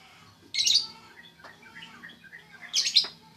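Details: Sooty-headed bulbul (trucuk) giving two harsh, buzzy call bursts about two seconds apart, with faint scattered notes between them.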